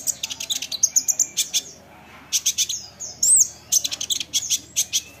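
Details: Olive-backed sunbird isian song to provoke replies: fast rattling series of high chips, a silent gap, then a looping whistle and further rapid chip bursts.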